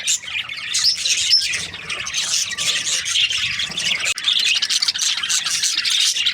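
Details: Parakeets (budgerigars) during breeding season making a steady wall of shrill chirps and chattering warbles, many birds calling at once, with a short quiet break just after four seconds.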